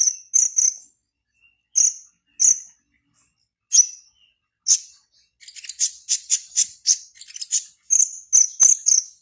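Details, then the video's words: Caged black-naped oriole from Serang, Banten, Indonesia, in an online song contest: isolated sharp high whistled notes spaced about a second apart, then a rapid run of repeated squeaky chirps. "LOMBA KONIN ONLINE"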